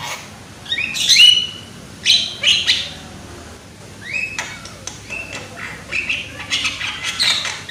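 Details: Javan myna, young and loud-voiced, sings in a recording made to stir others to sing: rising whistled slurs and harsh grating notes in clusters, a quiet gap mid-phrase, then rapid chattery bursts.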